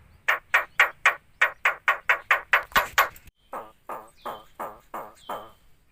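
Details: A jalak starling imitating human speech, coughing and an Islamic greeting: a fast run of about eleven short, harsh, cough-like bursts, then slower husky syllables with thin whistled tails.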